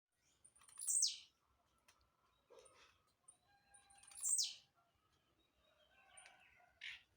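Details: {'caption': 'Jumping blue-black grassquit singing; two loud, short buzzy notes sweep sharply downward about three seconds apart, with a softer third note near the end and faint background chirps.'}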